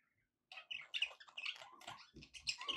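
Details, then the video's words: Pet budgerigars in good spirits, quieter here, starting after a brief silence with chirpy, scratchy warbling and squeaky notes. "happy budgie sounds"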